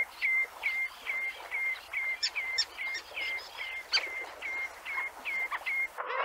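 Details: In Central Russia, a common redshank gives a fast run of clear, slightly down-slurred piping notes, about two or three a second, over faint background chatter from other birds.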